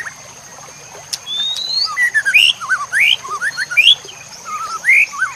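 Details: White-rumped shama song recorded to train other birds, with nature sounds and trickling water: softer, spaced phrases of wavering low whistles and sharp rising slurs, with a thin steady high hum throughout.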